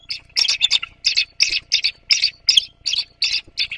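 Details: Bald eagle pair Jak and Audacity mating at the Sauces nest, Santa Cruz Island, California, 15 January 2024, as egg-laying season nears: a high, squealing chitter of about ten quick bursts in under four seconds over a faint hum.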